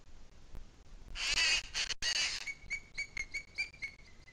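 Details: After a noisy rustling burst, a booted eagle in the Sierra de Guadarrama on 2 July 2021 at 17:53 calls with a quick run of clear, high whistled notes, about four per second.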